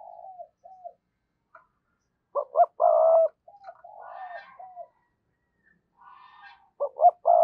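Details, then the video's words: Decoy spotted dove giving lure calls: soft low coos, then a loud phrase of two quick upswept notes and a long steady coo. The pattern repeats near the end, with faint buzzy notes between phrases. "tiếng cu gáy - Chim Cu Mồi Thúc Và Gáy Gọi"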